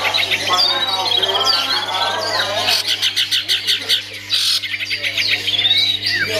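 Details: Long-tailed shrike kept as a songbird singing a varied medley: rising and falling whistled phrases, then rapid, sharply repeated scratchy notes and a final descending whistle, with a constant low hum beneath.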